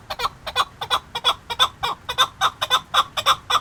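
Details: Chukar partridge from Qubodiyon calling in loud, rhythmic clucks, each a quick paired chuk-chuk note, about three a second, steady and strong throughout with little else heard.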